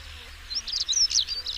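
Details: European stonechat song: one brief, scratchy, high warbled phrase of quick chirps and squeaky notes lasting about a second, over a faint low hum.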